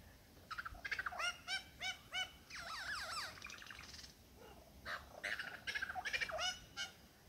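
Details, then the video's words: In the Dandenongs a male lyrebird shows off his songs and sounds to a female: rhythmic bursts of clicking, ringing notes, a tangle of fast descending zigzag whistles, then more chattering phrases. "lyre bird song recital"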